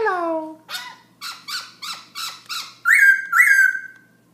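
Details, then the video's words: Black-throated laughingthrush at night, 11pm: a falling whistle, then a run of six harsh rasping chattering notes at steady pace, ending in two loud clear whistled phrases. "Black throat laughing thrush night song"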